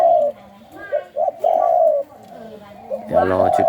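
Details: Captive spotted dove of the Thai 'sai khu ang' song line, kept for breeding: long level coos alternating with short clipped notes in an irregular phrase, with a man's voice briefly at the end.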